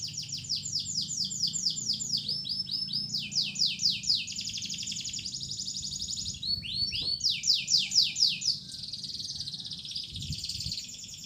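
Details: Domestic canary singing a lure song meant to rouse canaries that have stopped singing: rapid high trills of repeated downward-sweeping notes, shifting between phrases, over a low steady hum.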